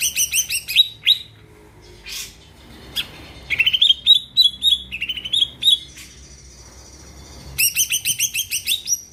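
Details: Greater green leafbird, gacor song used to make other birds sing: rapid chirp runs at start and finish, with a middle stretch of varied whistled phrases and quick notes, separated by brief pauses.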